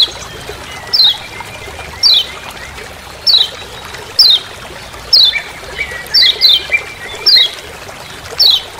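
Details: Yellow kecial of Lombok, the lemon-bellied white-eye, calling ciak ciak in the forest as master sound for training birds; high descending chip notes roughly once per second, some lower drawn-out notes, constant trickling background.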